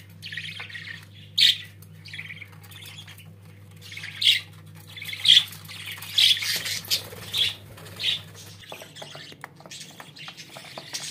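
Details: Pet budgerigars giving sharp squawking chirps about once a second amid softer chatter, over a low steady hum.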